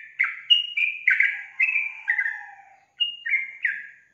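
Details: Yellow-vented bulbul singing vigorously: a quick run of bubbly, slurred notes, each a short falling or level whistle around the same pitch, with a brief pause before a final burst of three notes.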